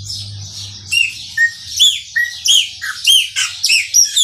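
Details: Maranhãozinho-style song of a chopi blackbird, a lively run of loud, clear whistles, many rising then falling, delivered about every third of a second over a constant high hiss.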